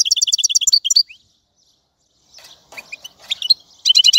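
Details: Goldfinch song opening with a quick series of ringing twitter notes, a pause, then scattered softer chirps before another rapid tinkling burst.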